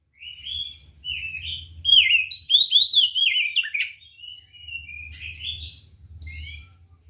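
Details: Fighting song of a white-rumped shama aimed at provoking rivals: a long flowing stream of whistled, warbling phrases rising and falling, quieter toward the end, with a steady low hum beneath.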